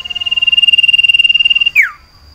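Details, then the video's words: Common iora, locally sirtu, caged and in breeding condition, seeking a mate: one long, fast, even trill of pulsed whistles lasting nearly two seconds, ending in a sudden loud downward slur. "Lantunan Sirtu Birahi Mencari Lawan Betina Cipow"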